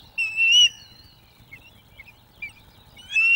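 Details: Osprey at a Loch of the Lowes webcam nest in 2024, during courtship as the male brings fish to the female; one loud whistled call, then softer short chirps and a second call starting at the end.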